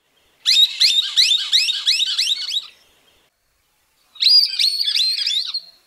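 Great Rufous Woodcreeper song: two bursts of loud, harsh, ringing notes, about three or four per second, with a short pause between them. No other sounds.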